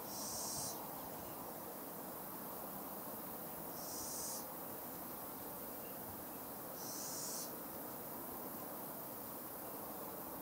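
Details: Fledgling Little Owl repeating a strong, high, rasping hiss about every three seconds, three long calls of over half a second each, over a constant low background hum.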